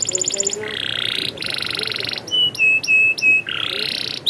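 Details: Canary rolling song: a quick high trill gives way to broad buzzy rattling tours and a few pure flat whistled notes, strong and continuous.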